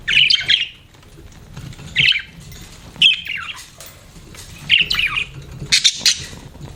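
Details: Budgerigar kept as a pet giving brief squawky chirps roughly once a second, each a short burst of harsh, high warbling notes, separated by quiet gaps.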